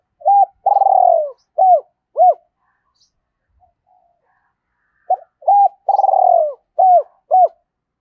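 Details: Spotted dove giving its 'thúc rút bổi' style coo, used to stir up decoy birds: two identical phrases about five seconds apart, each a short coo, a long rolling descending coo, then two clipped hooked coos, with quiet between.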